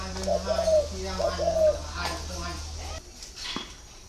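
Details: Spotted dove cooing: two smooth, mellow ringing coo phrases about a second apart over a steady low electrical hum, followed by faint voices and clicks as the hum cuts out.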